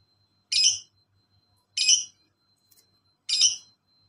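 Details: Lovebird in a master recording for training other birds: three sharp, harsh chirps spaced over a second apart, with a faint steady tone and low hum between them.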